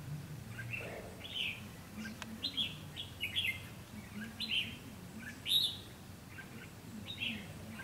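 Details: Red-whiskered bulbul serving as a trapping decoy on 7 June 2016, singing a lively run of short warbled, chirpy phrases, some sharper and louder notes, against a faint low hum of the surroundings.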